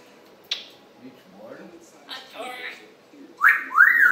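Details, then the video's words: African grey parrot kept as a pet, morning chatter recorded July 26, 2021: a sharp click, soft low murmurs, then loud arched whistles rising and falling near the end. "African Gray Parrot MICHAEL morning chatter"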